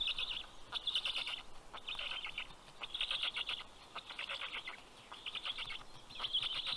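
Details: Black stork nestlings in Karula National Park, Estonia, greet a parent bringing fish in late morning in June, giving repeated short bursts of harsh, hissing, chattering calls separated by brief pauses.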